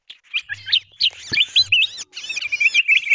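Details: Bulbul (kutilang emas) lure call used to draw wild birds down: rapid high chirps and short twisting whistled notes, with a brief gap near two seconds and faint low hum underneath.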